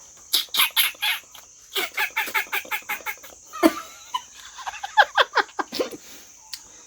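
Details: A chicken in Meghalaya, India clucks in quick bursts of short, harsh notes, several each second, with a pause midway, over a steady high insect drone.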